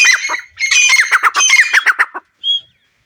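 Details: Iranian partridge calling: a loud, harsh, rapid series of grating, chuckling notes lasting about two seconds, followed after a pause by one short, clear, high, whistle-like tone.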